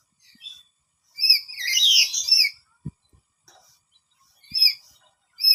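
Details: Parrot reacting loudly after being startled by nearby sounds and looking for where they come from; one squealing, harmonic burst over about a second, then short isolated chirps and faint taps.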